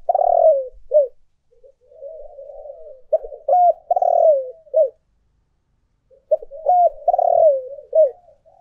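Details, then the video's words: Spotted dove giving urging and calling coos, used as a lure: loud, hoarse, rising-and-falling coo phrases ending in a short note, separated by soft, quiet, drawn-out cooing and a long pause. "tiếng cu gáy thúc và gáy gọi hay nhất"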